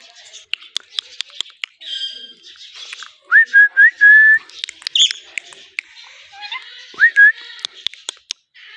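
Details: Indian pet ringneck parrot producing a set of four short upswept whistles in quick succession, with scattered clicks and soft chatter around them and one more whistled pair later.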